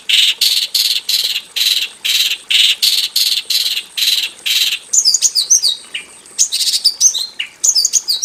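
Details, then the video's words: Javan bush lark singing in a simple aviary. A long series of loud buzzy, rasping bursts repeats evenly, then gives way to quick thin chirps and twisting whistles. "KICAU SUARA BURUNG BRANJANGAN JAVANICA GACOR FULL ISIAN BIKIN MERDU DI KANDANG AVIARY SEDERHANA"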